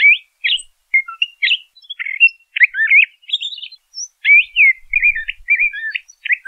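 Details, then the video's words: LeConte's thrasher song: a busy run of high whistled phrases, each different, some rising, some dropping or trilled, one clear high note near the middle, delivered almost without pause. "LeConte's Thrasher Bird Song, Call, Chirp, Voice - Cuitlacoche Pálido Canto"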